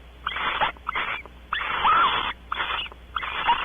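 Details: Harsh hissing screeches from barn owls mating on a porch at Audubon Starr Ranch, California. Five broad rasping bursts of uneven length follow one another closely, the middle one longest.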